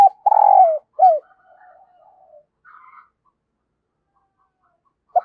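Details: Decoy spotted dove calling wild birds. It gives a long burry coo and a falling coo, followed by faint softer calls, quiet, and the start of another coo at the end.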